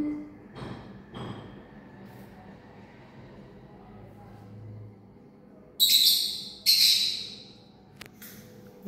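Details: A pet Rose-ringed parakeet gives two loud, harsh, high screeches in quick succession, about a second apart, after quiet human voices.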